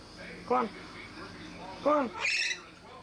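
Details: A pet female yellow-backed chattering lory, filmed indoors about 30 years ago as her owner calls to her, gives two arched, nasal, somewhat voice-like calls about a second and a half apart, then a brief shrill, hissy squawk over room hum.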